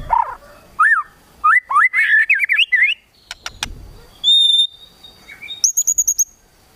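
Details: White-rumped shama giving a rapid 'kretekan tembakan' song meant to provoke a rival's emotion: sharp sliding whistles, a chattering run of up-and-down notes, then clean high piping tones and a quick burst of very high repeated notes.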